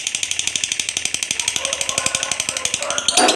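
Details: Contest fighter lovebird in top singing form giving its long ngekek song: a rapid, steady stream of harsh chattering notes, about four per second, high and bright throughout, ending in a louder burst; faint low voices in a small room.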